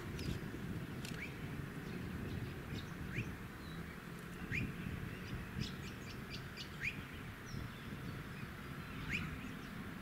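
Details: Rainbow bee-eater, a male on suburban power lines at Tin Can Bay, Queensland, in September 2017, giving brief rising chirped calls every one to two seconds, fairly faint above constant low wind and traffic noise, with a few high ticks.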